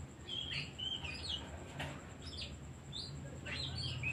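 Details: Oriental magpie-robin singing, its song used as a lure to rouse other birds: clear whistled notes, some rising and some falling, given in quick bursts with short gaps, over a steady low hum and a faint high whine.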